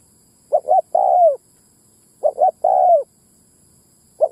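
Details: Spotted dove ground lure call aimed at attracting males and females: mellow three-part coo phrases, short-short-long, the last note sliding down, given twice with a pause, a third just beginning.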